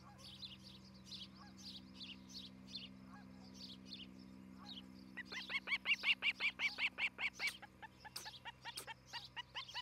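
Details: Nesting Osprey on camera at Charlo, Montana, morning of 11 July 2018; quiet, scattered soft notes at first, then a loud burst of quick whistled chirps repeated evenly for about two and a half seconds.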